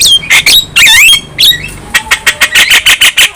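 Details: Young Javan myna singing actively while nodding its head, a song said to make other birds fierce: harsh squawks and rising whistled slurs, then a run of about ten short, evenly spaced chattering notes.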